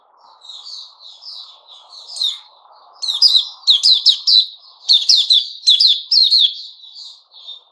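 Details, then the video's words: Puteh Raja white-rumped shama singing on 29 August 2021: soft, wavering whistled notes at first, then a run of loud, sharp, repeated ringing notes roughly once per second over a faint low background hiss. "Puteh Raja Sing Buka"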